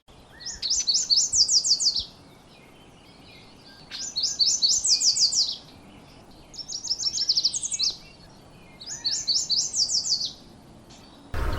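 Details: Yellow warbler at Somenos Marsh, Vancouver Island, British Columbia, singing its "sweet sweet sweet" song with a lower final note: four quick, bright phrases of high, sweet notes, one about every three seconds, over a low steady hiss.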